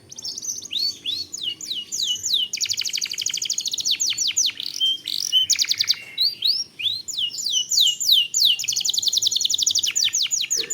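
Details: Canary with long, tightly packed rolling song played to spark singing and raise breeding mood: continuous rapid trills of high sweeping notes, buzzy rolls and looping whistles, unbroken for over ten seconds.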